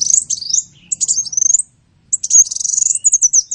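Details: Sunbird song used as training material for songbirds: high, thin twittering phrases with quick rising and falling notes, a short pause near the middle, then a long fast trill of bright chips.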